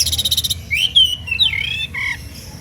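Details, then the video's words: Oriental magpie-robin singing emotionally to provoke rivals; opens with a rapid buzzy trill, then long swooping whistled slides rising and falling, ending with a short lower note and a fainter trill. "SUITAN KACER NGEPLAY EMOSI MEMANCING LAWAN IKUTAN BUNYI"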